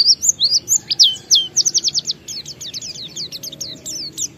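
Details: Oriental white-eye singing 'ngalas' style as a lure to get other kept white-eyes singing: quick high chirps and sharp rising-falling whistled notes in a rapid run, fading toward the end over faint low hum.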